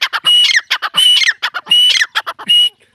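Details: Excited female partridge call: rapid clipped notes mixed with four longer harsh, whistled squawks in three seconds, loud and close.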